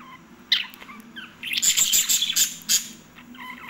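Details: Pet lovebirds in a noisy burst of shrill, rapid chattering, dense high-pitched chirps running together for about a second, then scattered thinner tweets with a faint low hum behind.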